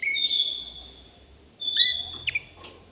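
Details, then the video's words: Male canary singing in a cage to stimulate a female for mating: long, steady, pure whistled notes, separated by a pause and a few short sharp chips, softer than the surrounding song. "تغريد ذكر كناري هائج يريد تكسير القفص يحفز الأنثي لتزاوج"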